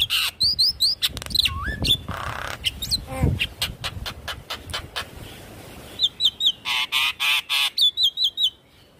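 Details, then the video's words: Javan myna song used as a lure to prompt a silent bird to sing: a busy mix of clear whistles, rising slurred notes and harsh, buzzy rattled bursts in quick succession, with repeated scratchy notes toward the end. "Pancingan Jalak Kebo Macet Bunyi"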